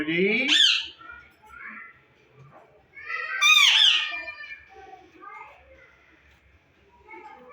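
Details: Captive green ringneck Indian talking parrot in a breeding setup gives two loud, shrill, harsh screeches about three seconds apart, mixed with softer chattering, speech-like murmurs in a quiet room.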